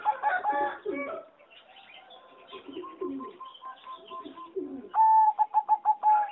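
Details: Competition-bred singing zebra dove in an aviary, one of several doves calling: soft mixed cooing and trills from the flock, then a loud stuttering phrase of quick pulsed coos ending the clip.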